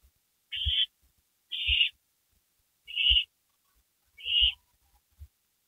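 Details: Owls returned to a porch at night, May 3, 2012, uttering four evenly spaced rasping screeches roughly one second apart, each a noisy hiss, with soft bumps underneath.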